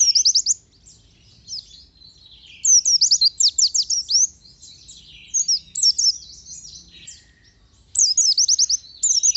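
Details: Pleci (oriental white-eye) in gacor song with nembak volleys: clipped series of four to six rapid high chirps, repeated several times, separated by quieter twittering.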